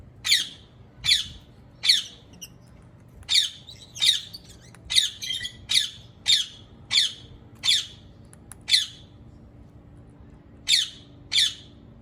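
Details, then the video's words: Long series of shrill, rasping screeches from a rose-ringed parakeet, mostly spaced under a second apart, some doubled with softer chatter between, ending after a pause with three final calls. "ببغاء الدرة Ringneck Parrot"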